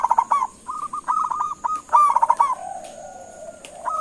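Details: Local zebra dove (perkutut) calling to draw answers from other doves: loud bubbling coo bursts, then a staccato run of short, even coos, a softer drawn-out coo near the end, and a steady high hiss behind.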